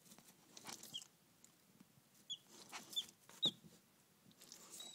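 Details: Three Barred Rock chicks and one Rhode Island Red chick; a handful of brief, high single peeps spaced about a second apart, mixed with quiet rustling and tapping noises.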